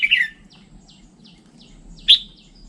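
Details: Red-whiskered bulbul giving a standard song: a bright, rich chirped burst at the start, quiet faint high notes in between, then a second sharp, loud whistled note near the end.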